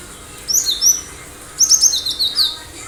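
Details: Cinereous tit singing at full volume: a short pair of high downslurred whistles, then a longer rapid run of bright, piercing notes stepping lower in pitch.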